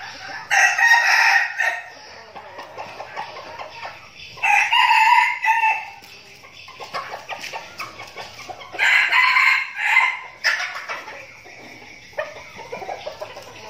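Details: Flock of decoy red junglefowl being trained in Bình Phước province, Vietnam, crowing repeatedly: several harsh, clipped crows about four seconds apart, some overlapping, with clucks and rustling between them.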